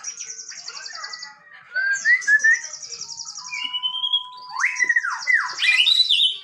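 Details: Male white-rumped shama in vigorous song: high rapid buzzy trills, slurred whistles, a long flat tone, then loud swooping notes and more trilling.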